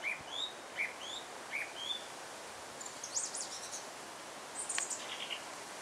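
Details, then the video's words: Song thrush singing in Alkmaar, Holland: short clear whistled notes and brief phrases at varied pitches, then a burst of high thin twittering notes, over steady background hiss. "song thrush sings"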